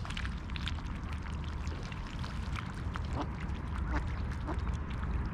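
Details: Wild mallard family, a hen and six almost full-grown young, at an Old Town pond in Tallinn, Estonia, 6:30 on a July morning while eating oats; a handful of clipped quacks near the middle, over heavy low rumbling.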